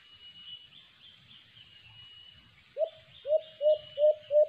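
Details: After a thin, high whistled phrase from another bird, a white-eared brown dove (alimokon) near a cage trap starts a run of five low, hollow coos, evenly spaced and slightly upslurred.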